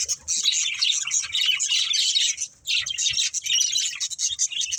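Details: Pet budgerigars playing and eating give a busy overlapping chatter of high scratchy warbles and chirps, with a brief pause midway before the twittering resumes.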